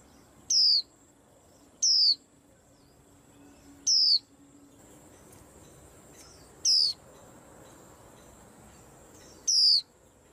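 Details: White-eye kept in a rack of cages, its voice said to throw the whole rack into uproar: five piercing, thin downslurred whistles at uneven intervals of about one and a half to three seconds, over faint hum.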